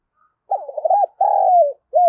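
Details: Spotted dove calling to draw in wild doves: a wavering low coo, then a long steady coo that slides down at its end, and a short final coo, with nothing else heard.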